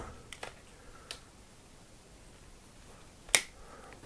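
Finger snaps and small clicks in a quiet indoor room, with no animal voice heard.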